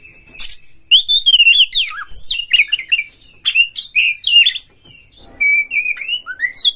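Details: Loud, caged oriental magpie-robin singing a rich run of whistled, warbling phrases with slurred notes and a few harsh clicks, used to provoke other magpie-robins to sing and fight.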